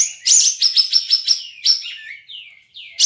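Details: A caged bulbul from Singkawang, West Kalimantan, entered in an April online song contest, gives a fast run of bright, chirpy notes, then several slurred whistles that drop in pitch, with no other clear sound.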